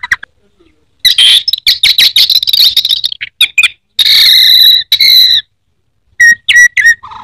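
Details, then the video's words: Orange-headed thrush kept in Indonesia delivering teler song: long dense bursts of harsh, buzzy and whistled notes, with a held scratchy phrase midway and quick chips at the end. "Burung anis merah teler teler keterlaluan"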